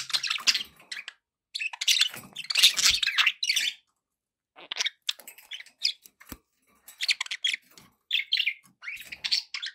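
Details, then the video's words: Pet budgerigars chattering almost continuously, with dense, scratchy warbling and chirps in long runs, broken by a brief pause midway and a single sharp click. "budgie sounds"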